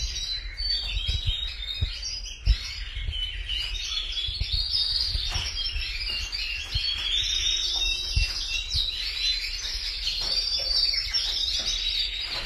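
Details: Several canaries singing at length: rapid, rolling high trills and twittering phrases run almost without pause, over a steady low background hum with occasional faint clicks and taps.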